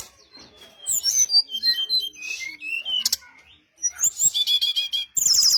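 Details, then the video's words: Luring song of a brown-chested jungle flycatcher: a flowing string of varied high whistles with rising and falling slurs, a brief pause, then quick rattling chirp series and a loud high trill at the close. "SRDC Sikatan Rimba Dada Coklat - Pancingan untuk SRDC lain pasti nyaut || CHIRPING SOUND ||"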